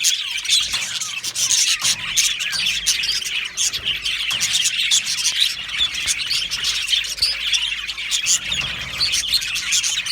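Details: Chorus of Australian budgies in an aviary colony: dense, continuous high chirping and chattering warbles from many birds at once, overlapping with no pauses, with sharp clicks scattered through.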